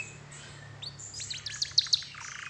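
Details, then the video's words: Canary singing as a lure to prompt other canaries to sing; sparse high chirps and quick down-slurred whistles build into louder sharp notes, then a short buzzy trill, over a faint low hum. "PANCINGAN SUARA KENARI INI, DIJAMIN IKUT GACOR DAN BUNYI"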